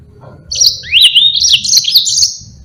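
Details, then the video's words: Yellow-fronted canary, caged and used as a song model for other birds, delivering one continuous high phrase of rapid slurred whistles and trills lasting about two seconds over a faint low hum. "Burung Mozambique GACOR NGEROL PANJANG sangat Jitu buat masteran"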